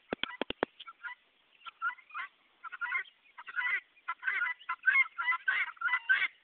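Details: Guineafowl calling, a call given when curious, scared, hungry, annoyed, happy or lost; a few sharp clicks open, then harsh, raspy, two-part chattering calls repeat roughly every half second, growing louder and denser toward the end.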